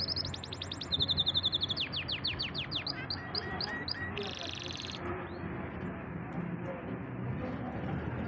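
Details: Pet singing canary, called a champion bird, runs through a quick series of high sweeping notes, then a buzzy rolling tour and a sustained trill. The singing stops after about five seconds, leaving low background noise.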